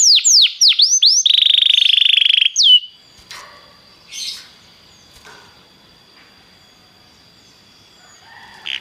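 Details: Belgian canary song opening with swooping downward whistles, then a steady buzzy trill of about a second, a slurred whistle, and quieter notes fading into near silence.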